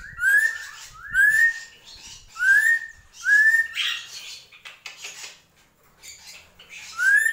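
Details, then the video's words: Drongo delivering gentolang song: a series of bright upslurred whistles about every second, with a brief harsh burst midway and faint chatter in the background. "SRIGUNTING KRANTIL | GENTOLANG"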